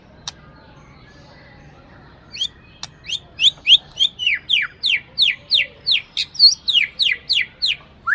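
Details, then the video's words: Captive Aceh white-rumped shama, a breeding bird said to mimic recorded songs. A fast series of high, sharply falling notes, about three each second, goes on after a few scattered clicks; a quiet background. "Murai Batu Aceh"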